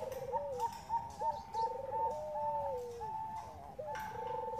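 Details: Bangkok zebra dove lure, female calling male: a steady chain of clipped higher coos layered over trilled, gently falling lower coos, several overlapping voices throughout with light background hiss.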